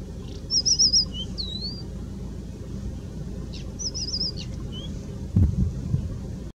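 A European stonechat gives two brief, high, scratchy warbling phrases a few seconds apart, over a steady low rumble and a soft thump near the end.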